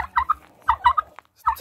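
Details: Turkey gobbling in quick, throaty, pulsing bursts, two rattling runs separated by a brief pause.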